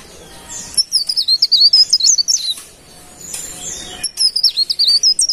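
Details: High, thin warbling phrases of a golden-bellied gerygone, known locally as cikrak daun, in lively form: quick zigzagging whistled notes in a phrase near two seconds long, then a second phrase begins after a pause.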